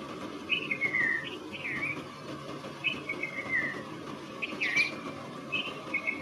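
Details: Red-vented bulbul, locally called Konda Kurulla, giving short bright whistled phrases that slide downward, about five phrases over six seconds, with a steady low background hum.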